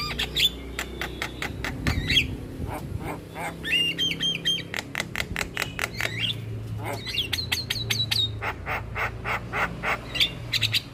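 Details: Full-repertoire Javan myna song used as a tutor to stir quiet birds: grating squawks and clicks interspersed with bursts of thin rising whistles, over a low steady background hum.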